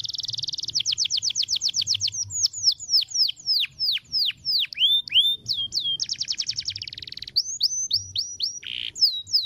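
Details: Long rolling canary song meant for training other birds: quick trills, cascades of falling whistled notes, a dense rapid roll, then more descending whistles and a short low buzz, sung continuously.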